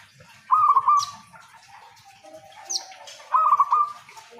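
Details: Local zebra dove singing, used to lure other zebra doves into song; two quick, stammering cooing phrases about three seconds apart, with faint higher chirps and soft rustling between them.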